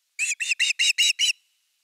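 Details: Osprey on the nest, evening fish, 30 August 2021: one quick burst of six loud, shrill, whistled notes, evenly spaced, then silence.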